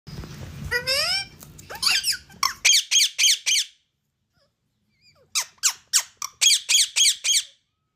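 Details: Pet rose-ringed parakeet indoors: a speech-like warbling phrase, then bursts of sharp, shrill, high squawks repeated rapidly in two groups, about four per second, separated by a short silence.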